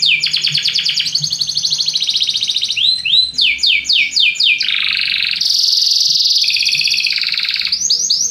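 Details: Singing Belgian canary, meant to motivate other birds: continuous loud rolling trills, runs of rapid upslurred notes and long buzzy high passages with barely a break.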